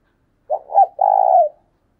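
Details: Caged decoy spotted dove calling to spur on rivals: one low coo, a second swelling coo, then a long even hooting note that trails off, repeated as a single clear phrase with no background noise.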